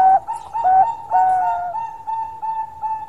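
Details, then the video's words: A Bangkok-type zebra dove (perkutut) in full song gives a few soft, mellow cooing notes, then a long, steady, drawn-out coo that fades over the last seconds. Zebra dove. "Suara Panjang Super Perkutut Bangkok Gacor"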